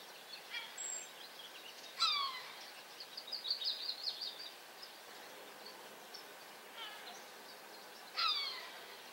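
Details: Cooper's hawk, adult or immature, uttering three loud, downward-slurred squealing calls spaced several seconds apart, with a softer, jumbled chatter between the first two over a steady background hiss.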